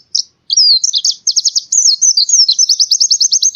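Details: Lively white-eye song, forest-style training audio from Central Java, Indonesia: high twittering notes running into a quick, steady series of sharp repeated chirps, continuous and bright with no other sounds.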